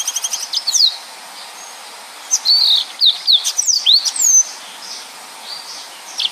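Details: Yellow-fronted canary, known locally as mozambik, singing in the lively, dense 'nembak' style used to tutor other songbirds: bursts of high, quickly sweeping whistled notes, rising and falling, with short pauses between phrases.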